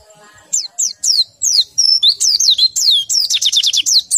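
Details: White-eye in low breeding condition singing a lively chain of piercing whistles, each dropping steeply in pitch, speeding into a rapid rattling series near the end.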